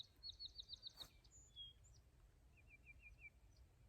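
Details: A Greater Yellowlegs migrating overhead in spring on April 26 at Sax-Zim Bog, with snow not all gone, gives runs of five or six clear, ringing 'tew' notes, one high series then a slightly lower one, over faint wind hiss.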